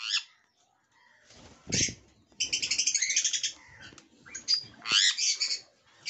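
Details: Jenday conure, recorded 1 November 2021, giving harsh, grating calls, including a rapid run of repeated raspy notes and loud shrill bursts, with a few softer chatters between.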